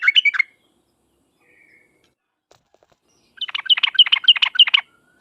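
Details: Sooty-headed bulbul singing in a sharp lure recording meant to draw replies from other birds: a short chirpy burst, a quiet pause, then a quick series of about ten clipped, bright notes.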